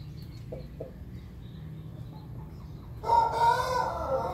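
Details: Pelung chicken at morning feeding time; near-quiet background for three seconds, then a loud harmonic rooster crow starts and runs to the end, cut off mid-call, with a strong steady tone.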